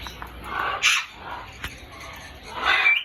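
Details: Grey parrot from Congo, Africa, giving a rough, squawky burst followed by brief clear whistles, with a sharp click between calls.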